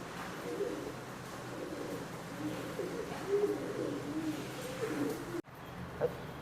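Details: Fancy pigeons offered for sale, cooing in low murmuring phrases repeated through several seconds, with a steady hum underneath and a sharp break near the end.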